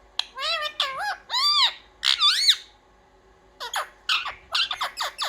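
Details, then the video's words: Indoor pet parrot trained to speak "mummy papa" gives warbling, voice-like syllables with bending pitch, a swelling double note, a second of quiet, then a burst of short rasping calls. "मम्मी-पापा बोलने वाला सुपरस्टार मिट्ठू || 100% असली बोलने वाला मिट्ठू | Viral Parrot Talking Video"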